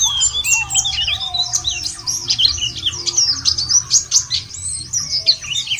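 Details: White-eye song played as a lure to get birds singing: busy, sharp high-pitched twittering in rapid bursts, several voices overlapping, with faint lower whistles underneath.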